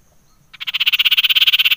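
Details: Common iora (cipoh) lure sound used to provoke other birds: a dense, buzzy trill of fast regular pulses starting abruptly after a brief silence.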